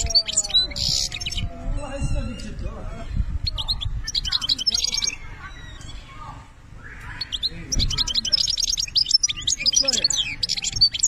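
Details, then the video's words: European goldfinch song in high, rapid twittering bursts broken by short silent gaps, with a faint low hum throughout. "ذوق البنة للحسون"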